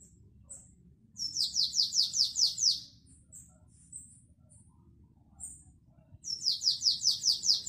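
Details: Canary performing classic Belgian-style song (2021). A rolling series of about seven high, falling notes is followed by sparse, thin chips, then another fast run of repeated downward sweeps begins at the end.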